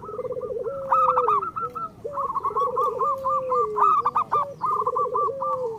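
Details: Cooing song of a local zebra dove, meant as a master recording to make idle birds sing. A trilled low phrase ends in a sustained falling note, repeated about every two seconds, with overlapping higher staccato coos.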